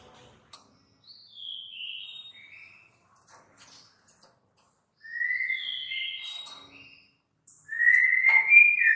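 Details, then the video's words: Female bar-winged prinia, known locally as ciblek sawah, giving a clicking call used as a lure to draw other birds. High, sliding whistled notes come in short bursts separated by pauses, and a louder rising note closes the passage. "suara klik- klik betina/ciblek sawah"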